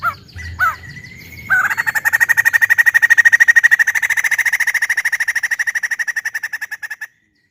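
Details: Loud voice of a caged white-crested laughingthrush kept in a private collection: a few sharp clipped notes, then a long, rapid run of steady ringing notes, about three per second for over five seconds, slowly fading at the end.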